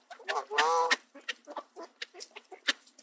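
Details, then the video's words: Canada goose in a park in Southern Ontario, Canada, bullying mallard ducks away from bird seed spread on grass, gives one drawn-out, slightly wavering nasal honk, then a quick run of short clucking and grunting notes. "Canada Geese Being Mean To The Ducks - Bird Sounds and Calls"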